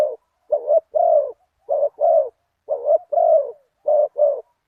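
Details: Spotted dove used as a decoy, following a target bird, with a big voice. Low, hollow coos come in clipped pairs and short bursts, each group repeating roughly every second, with clean silence between phrases.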